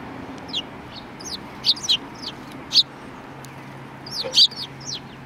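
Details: Several sparrows on 2 January 2019 trade many short, high, downslurred chirps at irregular spacing, some overlapping as different birds call, above a steady low background hum.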